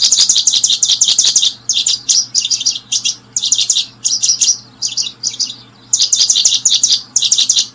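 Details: While brooding, a paddyfield pipit gives a near-continuous series of quick, piercing chirp clusters, a fast rattling run at the start and end, over a faint low hum.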